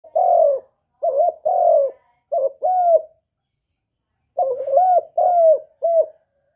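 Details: Spotted dove (derkuku) singing a 'kuk 1' style master song used as a lure for other doves: low, mellow coo phrases of four to five notes in two bursts separated by a pause of over a second.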